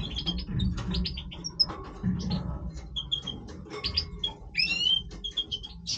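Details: Major European goldfinch in breeding voice: a lively run of twittering, tinkling high notes and short buzzy trills, with brief liquid slurs, all over a steady low background hum.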